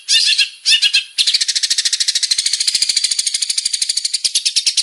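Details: Long-tailed shrike male singing actively: two harsh, grating bursts followed by a long, rapid, rattling trill of high metallic notes that holds a steady pace.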